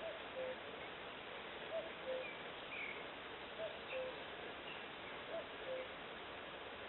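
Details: Common cuckoo calling in Eksta on Gotland: a distant two-note falling cu-coo repeated about every one and a half to two seconds, four phrases in all, over a steady hiss of background noise.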